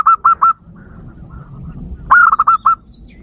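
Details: Zebra dove calling to lure wild birds. The clip opens on the tail of a phrase of three bouncy coos. After a quiet stretch with low background hum, a full phrase follows: a rising note, then five quick staccato coos.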